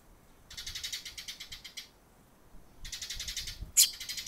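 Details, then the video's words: A sparrow, the first to visit on July 6, calling before it flies away: two bursts of fast, rapidly repeated high chirps, about ten per second, each lasting over a second, then one sharp, loud chirp near the end. "きょうのすずめ・Today's sparrow"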